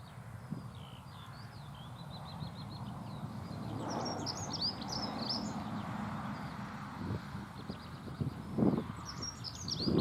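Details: Dunnock singing a thin, high, rapid warbling phrase, repeated in short bursts and partly buried under steady low rumbling background noise.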